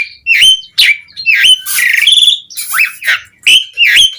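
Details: Lure song of an Asian pied starling to draw responses from other starlings: strong whistled notes alternating with buzzy, rasping phrases, about two notes a second.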